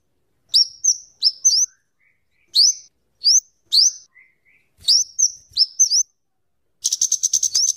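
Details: Scarlet-headed flowerpecker singing, used as a tutor and lure bird: paired thin rising-then-level whistles spaced about a second apart, faint soft notes between, ending in a rapid ticking run.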